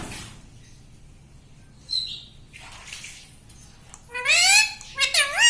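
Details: Talking parrot kept as a pet, the tota or mitthu that mimics words such as 'mummy': a faint squeak and hiss, then loud, harmonic speech-like utterances that sweep up and down in quick syllables near the end.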